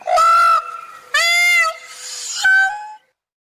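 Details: Peacock giving three loud, nasal, wailing calls rich in harmonics, each held about half a second, with short gaps between them.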